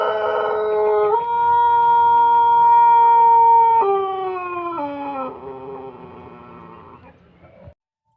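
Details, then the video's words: Pelung rooster of Plered, Purwakarta Regency, giving a very long crow: a rough start, then a pure held note for nearly three seconds, dropping in two clear steps, trailing off softly and ending around seven seconds. "Kompilasi Suara Ayam Pelung Plered (A.P.P) Istimewa"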